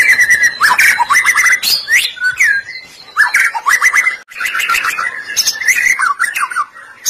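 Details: White-rumped shama song meant as a lure to make other shamas sing: varied loud whistles, sharp upslurred notes and rapid chattering runs, mixed with harsh buzzy bursts, in a rich continuous sequence.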